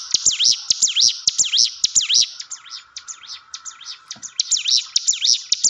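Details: Hill prinia song used as a training lure to coax silent, timid caged birds into singing: high, sharp swept chirps in rapid runs of about two per second, a brief quieter lull midway, then loud chirping resumes over a faint steady hum.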